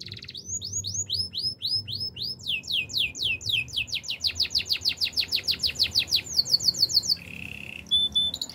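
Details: Canary training song: a long series of quick rising whistled sweeps that speeds up steadily, finishing in a fast high trill and a brief lower roll.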